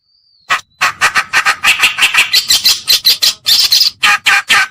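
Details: Kerakbasi reed warbler (cikrok), white- or black-browed form, in a lure used to draw birds in: after a faint thin whistle, a rapid series of grating, chattering notes, rising in loudness and pitch toward the end.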